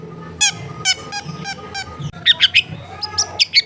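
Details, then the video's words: Long-tailed shrike, kept as a songbird, recorded in a densely populated residential area as a therapy track to prompt a reluctant bird to sing: loud harsh, buzzy stacked notes, then a run of sharp high whistled chips with a low background hum. "TERBUKTI TERAPI CENDET MALAS BUNYI LANGSUNG NYAUT"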